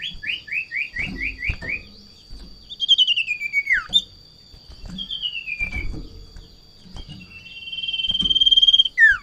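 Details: Sirtu at peak breeding excitement on seeing a rival or female: a fast series of six rising chirps, then long falling whistled glides separated by pauses, and a closing buzzy trill that swells before a quick downward sweep.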